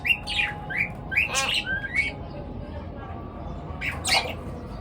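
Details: Morning calls of pet birds: separate short tweets that slide upward, some with a harsh buzzy edge, spaced roughly every half second, then a pause and a final pair of chirps.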